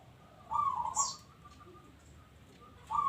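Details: Local zebra dove singing actively. A short, low, warbling, trilled coo is followed by quiet, and another coo begins at the end. One sharp, high chirp from another bird breaks in.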